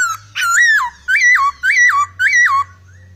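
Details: Laughingthrush singing busily with odd notes: four loud, clear whistled phrases, each rising then dropping in a smooth slur, repeated roughly every half second over a faint low hum.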